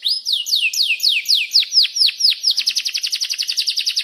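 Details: Canary song used as a lure recording to prompt other canaries to sing: a series of loud, high, downward-sweeping whistles at about four per second, then a fast, even rolling trill of short chirps.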